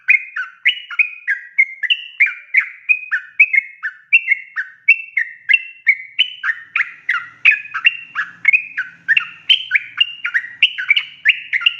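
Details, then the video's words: Long, unbroken ropel song of a sooty-headed bulbul, played as a lure so other bulbuls answer. Bright whistled notes, each dropping or rising in pitch, come in a rapid chattering chain of about three per second. A faint low rumble sits beneath. "KICAU SUARA trucukan gacor ropel panjang pancingan trucukan agar NYAUT"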